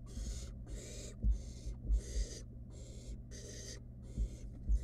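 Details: Nestling barn owl in a wild nest box handling food from its mother; roughly seven breathy rasping hisses, some longer, some clipped short, with dull thuds between them.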